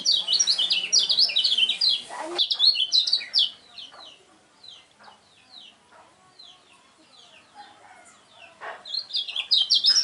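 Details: Kecial kuning, the lemon-bellied white-eye, a contest bird, pours out a rapid, shrill run of high zigzagging notes for two seconds. Quiet faint twitters follow, then a second loud burst at the end.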